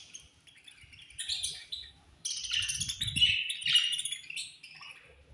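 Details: A colony of budgies chirping at food time, with quiet scattered twitters that swell into a loud burst of bright, overlapping warbles and chirrups from several birds, then fade again.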